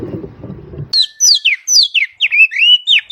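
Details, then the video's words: Grey-cheeked bulbul song with rough rasping phrases and sharp notes, used to train other songbirds: after a low murmur, a run of loud, clear whistled notes, many sliding downward, follows in quick succession. "Cucak jenggot Besetan Kasar dan Tembakan Tajam"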